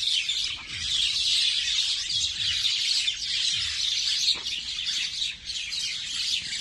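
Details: Natural bird chorus recorded in Nondibari, Bangladesh, many overlapping high-pitched chirps and tweets forming a steady twittering wash, a few soft low knocks in the background.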